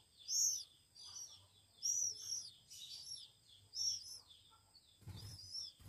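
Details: One-week-old Oriental magpie-robin chicks being hand-fed give high, thin, downslurred chirps in short bursts about every one and a half seconds, ending with a dull thump and low rumble.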